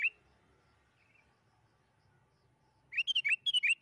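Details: Sooty-headed bulbul song, played as a lure to prompt caged bulbuls to sing: a short whistled note at the start, a long quiet gap, then a quick run of bubbly, rising and falling whistled notes.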